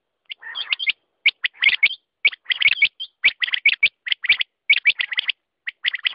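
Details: Quail calling continuously with quick clusters of sharp notes and brief whistled flicks, each burst repeated about once a second.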